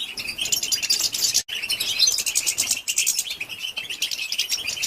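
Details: Female European goldfinch giving calls that stimulate males. Busy, high twittering fills the recording with rapid chirps, broken only by a very brief silent gap near the middle.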